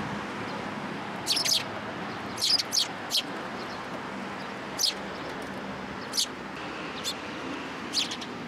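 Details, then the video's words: Early-morning sparrows gathering for food at a Tenmangu shrine on 27 September 2022 give scattered high, clipped chirps, some in pairs, spaced a second or more apart over a low rumbling background. "朝一番 餌を貰いに来る雀達"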